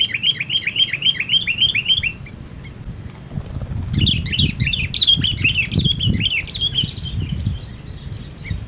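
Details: Sooty-headed bulbul sings busily as a lure, with fast repeated falling chirps in two long bursts and scattered knocks and rustling in the background.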